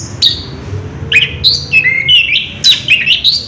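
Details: Orange-headed thrush singing in ngerol style, a continuous rolling song: a quick run of varied high whistled and buzzy notes, some sliding down, delivered in close bursts over a steady low hum.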